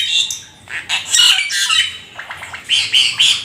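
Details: Black-winged starling, described as a rare, exotic bird, singing energetically with a full varied repertoire: harsh squawky bursts mixed with short whistled and chattering high notes in uneven phrases.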